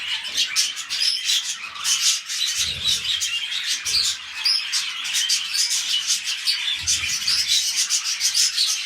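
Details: Mating pet budgerigars starting a new clutch keep up a steady stream of bright, twittering warbles and sharp chirps, with a few soft low bumps in the background.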